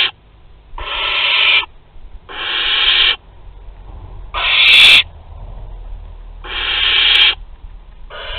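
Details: Barn owls at Théding, August 23, 2020, an older one handing prey to a younger: a series of six short, raspy hissing screeches, roughly one every one to two seconds, over a quiet background.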